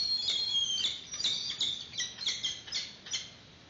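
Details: Nesting peregrine falcons on a live nest camera, Santa Cruz, March 2019, as the female brings a yellow bird to feed the chick for the first time. Quick run of rasping, repeated cries slows and weakens toward the end.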